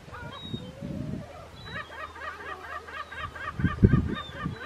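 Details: Second-calendar-year Mediterranean gulls on Vlieland, Friesland, the Netherlands, 24 Aug 2024, giving nasal, cat-like 'yeow' calls, rising then falling, several per second and overlapping, over low wind rumble.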